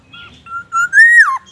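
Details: Black-naped oriole in full song, its repertoire said to include copied White-rumped Shama phrases and an ambulance siren; a soft note, then a steady whistle swelling into a loud rising-then-falling slurred tone with rich overtones.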